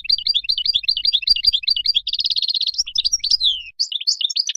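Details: European goldfinch pouring out continuous wild song for training young birds: steady fast twittering, then a dense buzzy trill, followed by sweeping, tinkling notes and varied chirps without a break.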